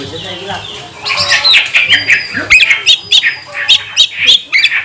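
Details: Oriental magpie-robin singing as a provoking lure (pancingan kacer) to make other magpie-robins sing and become agitated; soft murmuring start, then loud sharp notes repeated roughly three times a second.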